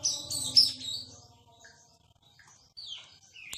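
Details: Aceh white-rumped shama, a now-rare bird with a sweet song, gives a few high whistled notes, then a pause and a short rising whistle; faint low hum underneath.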